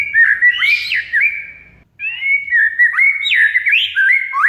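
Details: Oriental magpie-robin (kacer) song, used as a lure and daily master track to stir a silent bird into singing: loud, clear whistled phrases with sharp slurred notes, a short pause midway, then further rich, varied whistling.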